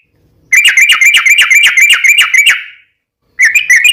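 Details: Long rolling chatter of a sooty-headed bulbul, used as a lure so other bulbuls answer: a two-second burst of fast, evenly spaced harsh notes at about four per second, a pause, then a second burst begins.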